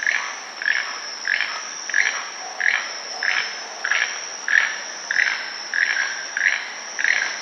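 A Keel-billed Toucan gives dry, frog-like croaks, about one every two-thirds of a second, over a steady high insect drone.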